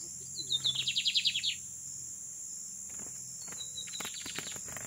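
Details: Lined seedeater (bigodinho) singing a single rapid, buzzy trill of about a dozen notes after brief thin introductory notes, followed by quieter clicks and a faint second phrase, over a constant high-pitched hum.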